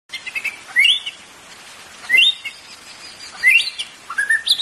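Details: White-rumped shama song used to stimulate caged birds to sing: rich whistled phrases rising from low to high, with bursts of varied notes every second or so over a steady hiss.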